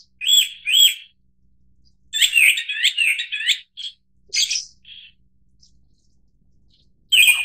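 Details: A Japanese thrush (Turdus cardis) sings bright, fluty whistles: two clear opening notes, then a fast run of repeated high phrases and a few scattered notes, in quiet surroundings.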